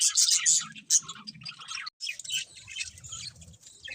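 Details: Budgies chirp in loud squeaky bursts at first, then softer scratchy chatter after a short break, with faint low murmurs underneath.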